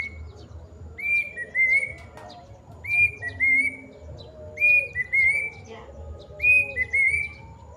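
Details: Plaintive cuckoo giving its long call: clear whistled three-note phrases, the notes slurring and stepping in pitch. Four phrases come roughly every two seconds over a quiet, soft background.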